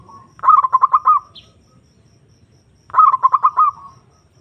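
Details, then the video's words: Zebra dove (perkutut) lure to call a rival and provoke a quiet bird: two matching phrases of rapid rolling coos, each about a second long and ending in a purring tail, separated by a quiet pause. "Pancingan Perkutut Memanggil Lawan Manjur Langsung Nyaut"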